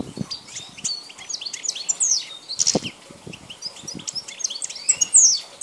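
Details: European goldfinch of the Balkan form, wild, 2010: loud bright twittering with sharp rising chirps and rattling trills, tumbling in irregular phrases over scattered low thuds.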